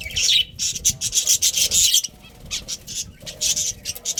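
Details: Budgerigars from a breeding colony giving a run of scratchy, rasping chirps in quick succession, a quieter pause, then another burst of chatter.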